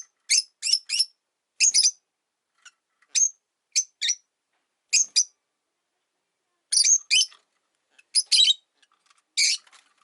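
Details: Caged Rosy-faced lovebirds, three birds in one cage beside a window: bursts of piercing high chirps in pairs and short runs across ten seconds, separated by brief pauses.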